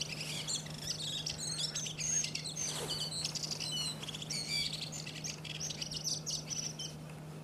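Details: In Iceland in April a Redwing pours out a long, varied twittering song of squeaks, whistles and buzzy chips without pause, over a steady low hum.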